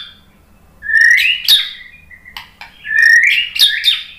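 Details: White-rumped shama, a lure recording meant to provoke a reply: loud whistled phrases sliding from low to high with sharp upward sweeps, two bursts separated by a short pause, with a brief chip between.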